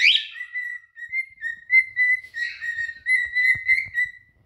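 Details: A pair of adult cinnamon cockatiels sing and flirt to win a mate. Mostly steady, sustained whistling with slight pitch inflections and a few soft clicks.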